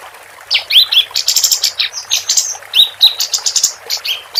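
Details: Vigorous song of a female capped white-eye, kept for tutoring competition birds: after a short quiet lead-in, fast high twitters and hissing trills mix with a few clear rising whistles, almost without pause.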